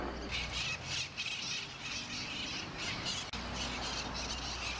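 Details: A feral urban flock of Mitred Conures in Long Beach, California, during nesting season gives harsh, grating, overlapping squawks, about two each second, over a low rumble like distant traffic.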